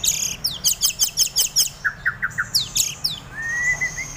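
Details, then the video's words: A white-rumped shama in excessive breeding condition, blamed on too much egg-food feed, sings a loud, fast burst of high, sharp repeated chips, then a few lower whistled notes and a long rising slurred whistle. "Suara Murai Over Birahi"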